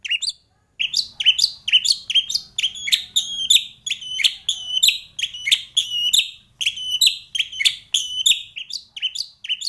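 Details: White-rumped shama in 'gacor' song with 'isian' variations for training birds. A steady series of sharp, high, downslurred whistled notes, about two to three each second, repeated evenly for nearly ten seconds with a faint low hum.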